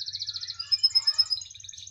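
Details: Short burst of canary song, a bird said to keep singing wherever placed: an even, high rolling trill, then a run of crisp, evenly spaced pulses, over a quiet low hum.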